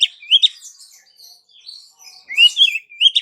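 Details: Female Oriental magpie-robin calling to a male: bright, high chirps and short upward-slurred whistles in two clusters, separated by a quieter stretch of soft twittering; no other sounds.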